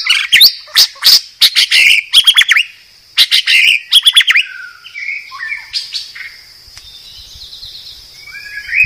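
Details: White-rumped shama (murai batu) of the Medan type, a master recording for training cage birds: rapid loud bursts of harsh, buzzy and chattering notes, then a quieter stretch of short whistled slurs, over a steady high ringing tone.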